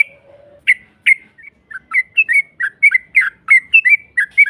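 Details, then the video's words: Yellow-vented bulbul song meant to goad a rival into replying: after a brief low hum, scattered bright chirping notes pick up into quicker, uneven chattering phrases. "Pancingan trucuk NARUNG NEMBAK Ropel panjang BUAT Mancing EMOSI LAWAN PASTI nyaut Ngropel Seketika"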